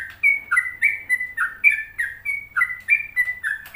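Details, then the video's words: Sooty-headed bulbul singing 'gacor', a lively run of crisp whistled notes, some level and some falling, spaced roughly every third of a second, with a soft low hum behind. "Pokoknya Cari Trucuk yang Gacor"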